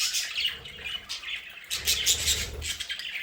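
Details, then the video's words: Pet budgerigars in a home play area give harsh squawks and bright chirps in overlapping bursts, the chatter rising briefly near the end. "Sonidos de budgies para Budgies en casa"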